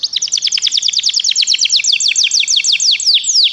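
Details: Begie canaries in full song for training: a rapid continuous series of high sharp downslurred notes, around six per second, layered and rolling, over a faint low background hiss.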